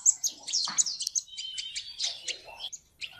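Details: Seven-coloured sunbird, recorded free of background noise, giving a quieter run of high, scratchy chirps and thin buzzy notes, with a short sustained whine in the middle and soft low rustling beneath.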